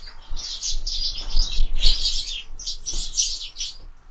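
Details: Sparrows at window feeders at breakfast time give a rapid, loud run of high chirps, tightly bunched, then a short gap and another burst, with light thumps below.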